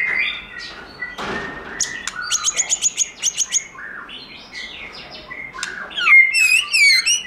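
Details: Forest-style song of a white-rumped shama, a flowing mix of clear whistles, a burst of rapid repeated high notes, and ornate rising and falling trills toward the end.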